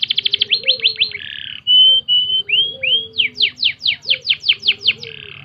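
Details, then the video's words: Canary training song: rapid stuttering notes, a buzzy burst, pure whistled tones and slurs, then a series of loud rising sweeps about three per second, over faint hum. "full masteran kenari"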